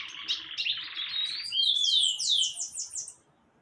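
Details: Bananaquit song: a rapid, high buzzy jumble of notes that runs into a series of thin, descending whistled sweeps repeated about twice per second, then stops abruptly; no other sounds.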